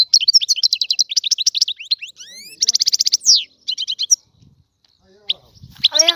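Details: Free European goldfinch from Algeria: rapid twittering and rising slurred notes with a trilled run, followed by scattered chirps and some faint background noise.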